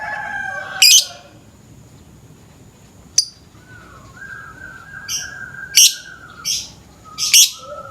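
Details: Morning lovebird in a lure recording: scattered loud harsh chirps, a sharp click near the middle, and softer buzzy high notes toward the end over faint steady whining tones.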